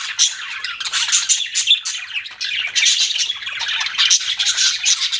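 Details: Pet budgerigars deliver a steady stream of high, buzzy chirps and rasping warbles with no clear silences, over a quiet background.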